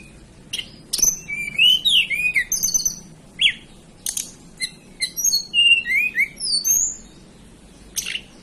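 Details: Hill blue flycatcher native to the mountains of Banten and West Java, Indonesia, singing rapid varied phrases of high whistles, looping slurred notes and sharp chirps, about 222 notes a minute in irregular bursts.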